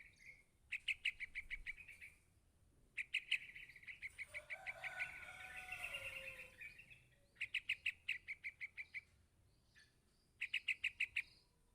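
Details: Chick of the yellow-vented bulbul calling for its parent, giving long, insistent series of quick high chirps in four separate bursts, with a softer warbling passage in the middle.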